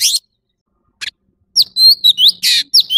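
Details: Orange-bellied leafbird giving a harsh rasp, a pause, then a brief phrase of bright slurred whistles and buzzy notes.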